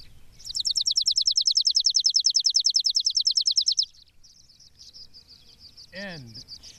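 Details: Chipping Sparrow by an apple tree on a foggy day: a dry, rapid trill of about 25 even, high chips over three seconds, then faint high chirps and a quick descending twitter from another bird.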